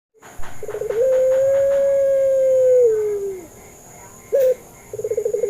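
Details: Puter pelung dove calling as a lure to prompt other doves that rarely call or are still learning: a short burst of rolling pulses leads into a long, smooth, even coo lasting over two seconds that sags at the end, then a brief rising note and more rolling pulses, over a steady high whine.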